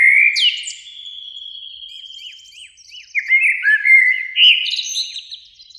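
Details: Two Eurasian blackbirds singing in a springtime beech tree near a lake in the evening sun: a long mellow fluted whistle, then short warbled phrases and thin high twittering notes.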